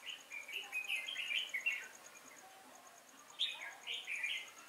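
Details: Decoy red-whiskered bulbul at a trapping site, 5 October 2018, singing to draw in wild bulbuls: a run of bright, jumbled warbling notes, a pause, then a sharp rising note and a short chirruping phrase; faint regular ticking in background.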